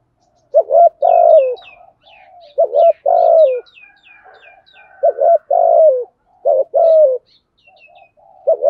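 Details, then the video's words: Spotted dove in thúc gù cooing, giọng thổ voice with rút bổi delivery: hollow low coos grouped in short bursts ending in a longer falling note, while thin high chirps of another bird sound in the background. "cu gáy thúc gù giọng thổ hay rút bổi"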